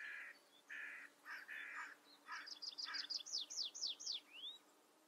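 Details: Tree pipit (Anthus trivialis) in full song, opening with several hoarse, mid-pitched notes, then a rapid high trill that speeds up into loud descending slurred 'seea' notes and a final upward-sliding whistle.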